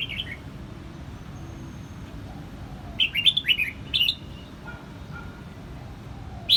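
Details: Red-whiskered bulbul in Quảng Nam, Vietnam, giving short, bright, chirpy phrases in bursts a second or two apart, with a few softer low whistles and a steady low background hum.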